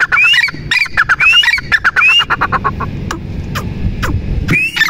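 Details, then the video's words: Teetar partridge giving rasping notes and three rising whistles, then trailing into scattered clicks before one more rising whistle, over low rumbling noise. "Teetar ki awaaz"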